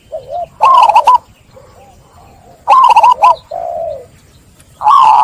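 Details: Zebra dove song used to coax stressed doves into cooing: two loud bursts of quick, looping coo notes separated by softer low notes, and a further phrase beginning at the end.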